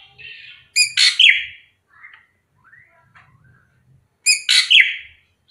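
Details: Srigunting krantil drongo singing tirelessly: a buzzy warble opens, followed by a loud harsh double burst ending in a falling whistle, soft chirps between, and the harsh phrase returning after a pause.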